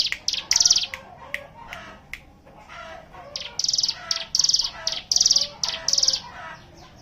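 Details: Ciblek gunung, the Hill prinia, singing ngebren-style in a many-bird chorus meant as a lure for other birds: loud high buzzy bursts repeated quickly, scattered at first, then a dense run in the second half.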